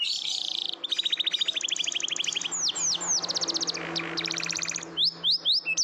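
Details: Canary singing as a lure for silent canaries: a buzzy opening, long rapid trilled rolls, a few sweeping whistles, then loud descending whistled notes; faint low hum beneath.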